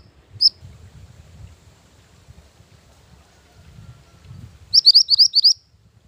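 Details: Mantenan gunung song used to lure wild birds and as a master song for training. One lone high chip comes first, then near-silence and faint rustling, then a burst of five quick, high, slurred notes.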